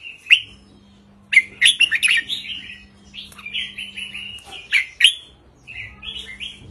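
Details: Red-whiskered bulbul in a cage, short counted-style 3-4-5 song used to make caged birds lively; sharp opening notes then flowing slurred warbles in several phrases, low constant hum.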